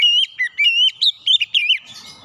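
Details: Loud, powerful oriental magpie-robin song used as training for untrained birds: a quick run of rich whistled notes rising and falling, with short gaps, ending in softer chatter.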